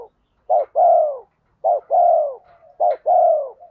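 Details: Lure spotted dove in 'thổ pha' style, with fast 'thúc gù' cooing meant to make wild doves answer. Three clear phrases, each a short hooted note then a longer drawn-out falling coo, about one and a half seconds apart.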